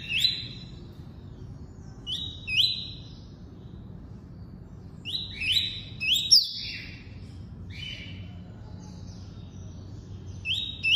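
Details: Double-collared seedeater, tuí-tuí song type: repeated bursts of rising whistled notes, singly and in pairs, every couple of seconds across the clip, with short sharp accents between phrases.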